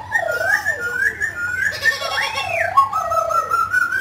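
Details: Mutant grey laughingthrush singing while dancing: smooth whistled phrases that wind up and down, with a looping rising-and-falling whistle midway and a long sliding note to finish.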